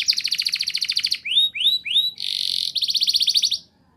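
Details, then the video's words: Canary in full, energetic song in rolling 'ngerol nembak' style, used to prompt young canaries to sing: a fast buzzy trill, three rising whistled swoops, a steady buzzing roll, then a pulsed trill that stops abruptly. "Suara Burung Kenari Gacor Ngerol Nembak! Ampuh Untuk Pancingan Kenari Paud Biar Bunyi"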